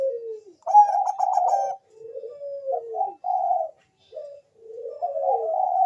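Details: Bangkok zebra dove used as a lure to set other doves singing: a fast rattling trill of coos, then soft wavering phrases and a rising, lengthening coo at the end.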